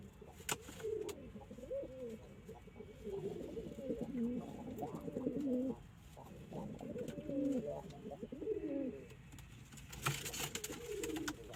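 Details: Several domestic pigeons cooing together, overlapping deep throaty rolling phrases almost continuously, with a brief sharp clatter near the end.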